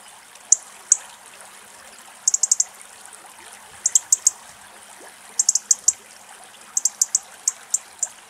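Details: A European robin, apparently angry, gives territorial sharp, very high ticks, singly or in quick bursts of three or four, about every second and a half, over a soft hiss; it had just chased off intruding birds.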